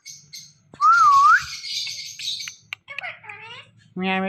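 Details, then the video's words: Talking ring-necked parakeet making imitated sounds indoors: a smooth wavering whistle, then harsh broadband squawks, a few nasal downslurred notes and a loud buzzy honk at the end, with people speaking nearby. "Talking Ringneck Parrot Making Sounds"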